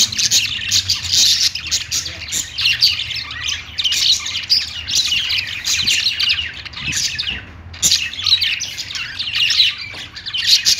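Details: Kept budgerigars singing on a perch, a lively chorus of high chirps, squawks and fast chatter in waves, pausing briefly just before the eighth second.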